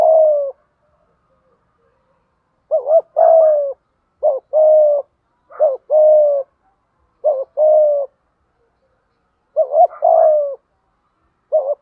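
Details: Spotted dove coo phrases, a decoy call played to train newly caught or long-silent birds to sing; a repeated pattern of a quick doubled note followed by a long, slightly falling coo, given about every two seconds.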